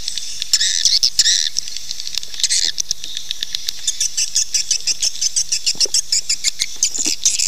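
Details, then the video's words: Calls of swiftlets for luring them to nest: bursts of high chattering twitter early on, then a steady rapid train of short clicking chirps. "SUARA PANGGIL BURUNG WALET"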